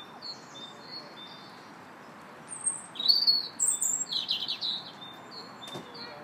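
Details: Robin singing in a park, March 2nd: soft thin notes first, then a louder tumbling phrase of high whistles and rapid jangling trills lasting a couple of seconds, fading to quiet.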